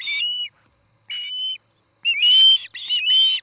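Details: Osprey at a nest near Charlo, Montana, on a nest camera in the evening of 17 August: three high, whistled calls, each a short rising note with bright overtones, the last two longer and strained, with clear silent gaps.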